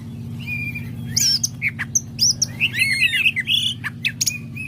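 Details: Kept greater green leafbird singing vigorously in a practice session: a busy run of squawky, slurred, warbling notes and high chirps, backed by constant low droning hum.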